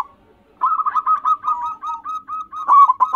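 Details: Local Zebra dove, used for luring wild birds, giving a clear cooing song: a rapid string of short, bubbling notes around a steady mid pitch after a brief silence, ending in louder rolling phrases.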